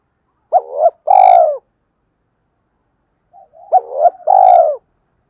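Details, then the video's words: Spotted dove call used as a lure recording: two loud cooing phrases about three seconds apart, each a short rising hoot followed by a longer, rolling, slightly falling coo. There are no other sounds. "Tiếng cu gáy kích bổi rất hiệu quả"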